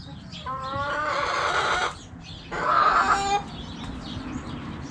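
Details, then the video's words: Crowing rooster among backyard hens: a sustained harmonic phrase of about one and a half seconds, a pause, then a louder, shorter second burst, followed by quieter coop murmur. "Hens Clucking Roosters Crowing!"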